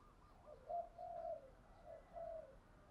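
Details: Spotted dove cooing in the morning, a soft phrase of three low hooting notes, the middle one drawn out and falling, heard at some distance against a steady hiss of background noise.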